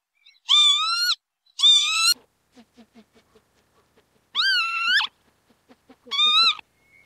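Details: Northern lapwing giving four harsh, wheezy notes in two pairs, each note curving up then falling away. Soft rhythmic ticking sounds run between the pairs.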